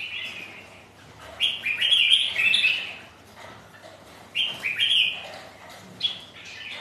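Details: Sparring rival red-whiskered bulbuls on a wet, windy day deliver two loud bursts of liquid, jumbled whistling, each about a second and a half long, separated by a quiet pause, then a brief final chirp.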